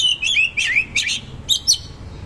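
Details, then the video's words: Oriental magpie-robin (kacer) in vigorous song with luxurious fill, giving a fast sequence of bright, slightly buzzy warbled whistles, several rising and falling phrases within two seconds, ending with two higher squeaky notes. "KACER GACOR MATERI KASAR ROLL TEMBAK ISIAN MEWAH"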